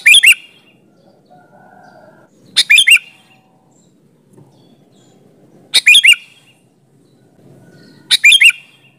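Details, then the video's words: Sooty-headed bulbul singing vigorously, played as a lure to make other bulbuls answer: four short phrases about every 2.5 seconds, each a sharp burst followed by two or three quick rising whistled notes, over a faint low rumble. "suara burung kutilang gacor ampuh buat suara pancingan kutilang agar nyaut"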